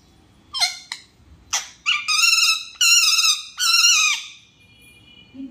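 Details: Angry parrot indoors giving harsh, nasal squawks: two short sharp cries, then three longer drawn-out screeching calls each held nearly a second, with steady buzzy harmonic tone and brief gaps between.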